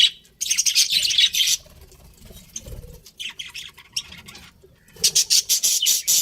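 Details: Pet budgerigar breeding pair: loud high chattering warble in the first second and a half, a quieter stretch with soft rustles, then rapid bright chirps resume at the end.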